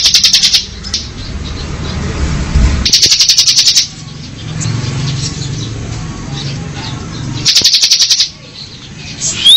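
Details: Bar-winged prinia in ngebren style: three separate bursts of rapidly pulsed, high buzzy trill, each about a second long, between stretches of low rumbling noise.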